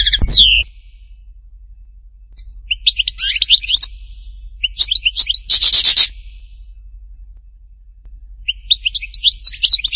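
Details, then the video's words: Goldfinch in the Htatba song style from Tipaza, giving separated bursts of quick, tinkling twitters with silent pauses between them. A short dull knock opens the recording, and a harsh buzzy rasp cuts in midway. "chant chardonneret htatba tipaza حسون حطاطبة"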